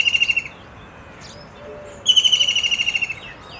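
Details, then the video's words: White-throated kingfisher, filmed 21 April 2023, gives fast, shrill rattling trills of rapid high notes, a short burst followed by a longer one. "White-throated kingfisher calling"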